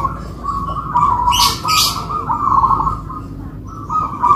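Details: A local-type zebra dove duet from two birds kept by owners. A long, continuous, rolling, gurgling coo runs almost without a break, with a short dip before it resumes, over a low background hum.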